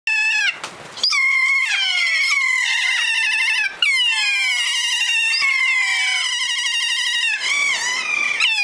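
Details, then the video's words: Wild keas at Mintaro Hut on the Milford Track, New Zealand, at 5 am, landing and sliding on a corrugated plastic hut roof; loud, harmonically rich descending screeches and wails, repeated in long overlapping bursts with brief gaps. "5 AM Wake-up Call"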